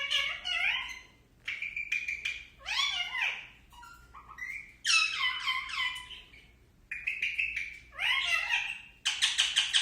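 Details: Pet Indian ringneck parakeet talking indoors: a run of short, harmonically rich, speech-like phrases with rising and falling sweeps, separated by brief pauses, ending in a harsh burst.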